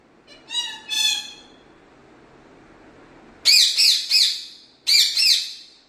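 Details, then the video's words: Pet parrot in Kerala, India, said to talk in Malayalam; a short burst of harmonic calls, then three loud, rasping, up-and-down squawks and a final pair of harsh calls, with quiet gaps between. "parrot Talking"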